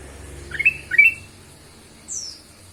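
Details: Ruby-throated bulbul (kutilang emas) lure song used to prompt other birds to sing: two short rising whistled notes, then a thin high descending slur after a pause.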